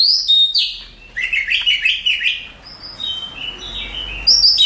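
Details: Contest-winning Oriental magpie-robin in full song, high sharp whistles followed by a rapid run of warbled, buzzy notes, then softer varied phrases and a final loud whistle.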